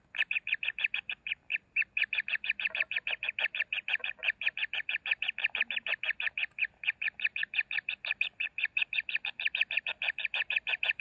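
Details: Common kingfisher chicks at the nest while being fed: a loud, steady series of harsh, buzzy notes, about three each second, running unbroken for the whole stretch with only brief gaps.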